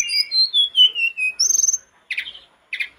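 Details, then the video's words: Sooty-headed bulbul singing actively as a lure for other kept bulbuls: a clear whistled phrase stepping down in pitch, a rapid buzzy trill, then two short harsh chattering notes after a pause. "TLEDEKAN GUNUNG GACOR DOR,pancingan terbaik buat tledekanmu"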